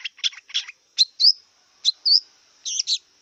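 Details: Wild long-tailed shrike singing short scratchy doubled notes and clear upslurred whistles, irregularly spaced, with a faint continuous high tone in the background.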